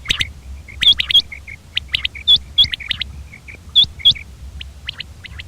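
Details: Common quail: short, high, sharp chirps in loose clusters, some notes pitched higher with a clear whistled tone, repeated irregularly against a quiet low rumble.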